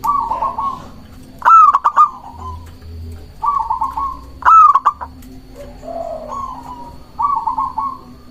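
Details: Local Indonesian zebra dove in full song, used to lure doves and provoke rivals: a soft rolling coo phrase followed by a loud, clipped, stuttering cooing burst, repeated about every three seconds over low steady background hum.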